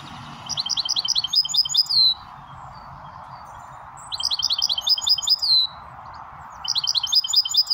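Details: Goldfinch mule hybrid singing three bursts of fast, high, tinkling twitters, each closing with a longer buzzy trill, separated by short pauses, with a constant low hum underneath.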